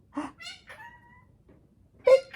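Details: Pet male galah, snuggly and talkative and sometimes whispering, gives three quick, nasal, speech-like syllables, one trailing into a level whistled tone, then a louder squawky burst after a brief pause.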